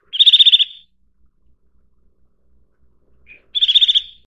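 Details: Two rapid trills of bright, clipped high notes from a Eurasian nuthatch, about three seconds apart, with a single soft note just before the second.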